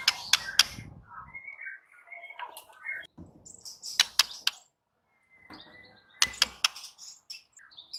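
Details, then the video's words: White-rumped shama song of sharp stacked clicks and high tweets, broken by short whistled slurs and chattery bits, coming in uneven bursts over several seconds. "SUARA MURAI BATU"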